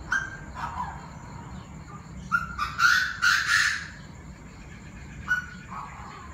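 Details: Chinese francolins, many voices, raising a ruckus in the evening at 7 pm on 9/18; a few soft notes open, then a loud burst of four harsh, rasping phrases in quick succession, followed by quieter scratchy calls, with low background hum.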